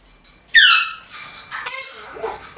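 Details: Pet African grey parrot, calling when its owner comes home until fed, and again whenever left alone in the room: two loud screechy cries with falling tones, the second higher and shriller.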